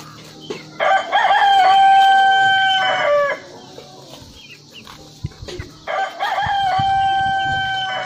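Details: Rooster crowing twice, each a loud, harmonic-rich cock-a-doodle-doo lasting about two and a half seconds, with a short pause between crows; faint clucks and small chirps in the background.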